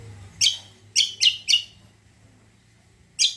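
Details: Greater green leafbird (cucak kombo) lure song meant to make other birds reply: one loud, high chirp, then three rapid bright notes, a long gap, and another burst at the end, in a quiet room.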